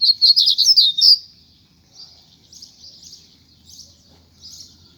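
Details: After rain, a coleiro in a cage is urged to sing more freely and bursts into a loud, rapid, high twittering trill. Fainter spaced chirped notes follow about once a second.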